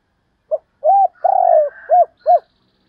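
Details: Spotted dove in the calling and 'two-ending' (hai hậu) cooing styles: a short soft note, then two low hoarse coos, a longer purring rolled coo and two more coos, all clear against silence.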